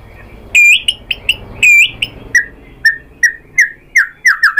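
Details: White-rumped shama song used as a lure to make other shamas reply and sing. Bright whistled notes open it, followed by a steady run of lower, slurred whistles repeated roughly once a second.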